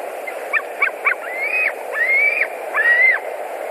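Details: White-tailed eagles at their nest in Latvia, 21:09 on 11 July 2020, as one returns: three quick clipped notes, then three sustained whistles, each rising and then dropping away.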